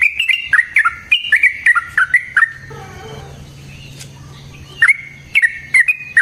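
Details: Fighting song of a yellow-vented bulbul, used as a lure to make other bulbuls answer and as a training master; a burst of bright flicked whistles, a short quiet gap with faint low notes, then the rapid whistling resumes.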